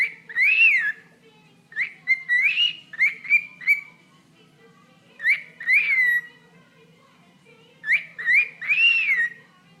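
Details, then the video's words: Caged pet bird, fond of feet, chattering at its owner's toe: repeated groups of rising, arched whistles about every two seconds, clear and tonal, over a quiet low background hum. "Bird Talking to Toe"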